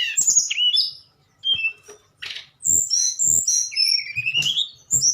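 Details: Tledekan nyuling song: piping whistles, a quiet gap, then a long slowly rising whistle among higher chirped notes.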